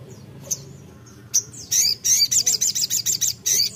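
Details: A crimson sunbird, singing hard to call a rival, gives a few isolated high chips and then a rhythmic series of about ten shrill, evenly spaced notes.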